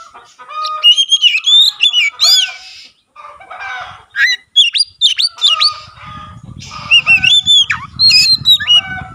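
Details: Oriental magpie-robin in full song with its tail spread, said to stir other magpie-robins into singing: loud, varied phrases of clear whistled notes and quick up-and-down sweeps mixed with harsh buzzy bursts, with a short pause near three seconds and low rumbling noise in the final seconds.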